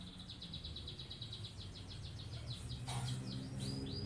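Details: Canary with a long rolling song, used as a master to prompt other birds to sing and copy it; a fast, even trill of repeated notes, then a sweeping note and a high buzzy phrase, over steady low background noise.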